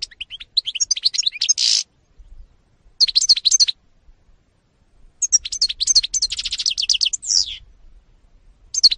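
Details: European goldfinch (Carduelis carduelis), recorded 2018, sings in quick bursts of bright, tinkling twitters and buzzy trills, high-pitched and liquid, separated by short pauses; no other sounds.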